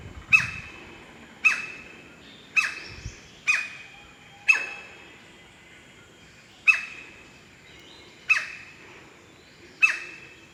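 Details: In rainforest near Sandakan, Borneo, a White-bellied Woodpecker excavating a new nest hole in a trunk gives loud, sharp, ringing single calls, eight in ten seconds at uneven intervals, each abrupt and falling slightly.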